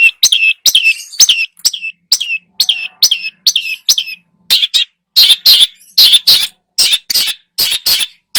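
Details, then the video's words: Long-tailed shrike lure song full of imitations, opening with a string of clear downslurred whistled notes repeated about every half second, then switching to loud grating buzzy bursts. "PANCINGAN !!! burung cendet gacor, full isian"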